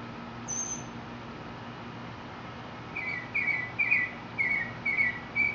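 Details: Mexican mockingbird singing, a faint series of short whistled phrases near the middle pitch range, each repeated two or three times, starting after three seconds over a steady low hum.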